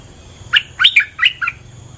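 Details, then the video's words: Chattering bulbul in its territory: four quick gurgled notes, the second a longer rolling slur, rising and falling sharply within about one second. "เสียงนกดอกแตงEp.238 จ้าวถิ่นกระโดดใส่!! Suara pikat merbah lekir gacor"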